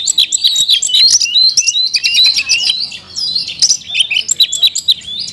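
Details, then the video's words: Oriental magpie-robin in captivity pours out a continuous, varied song of quick whistles, slurs and chattering notes with scarcely a break. "kacer isian mewah"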